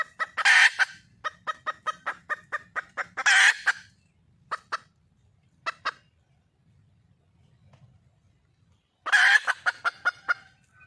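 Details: Wild junglefowl hen calling for a male: harsh squawks joined by runs of quick clucks, a few stray clucks, a long quiet gap, then a final squawk with trailing clucks.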